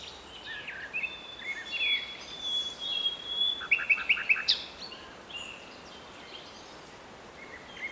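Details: Common nightingale singing in a city park in Strzelce Opolskie, Poland, in May 2012: high whistled notes, a long sustained tone, then a quick run of sharp repeated chips, over steady background noise.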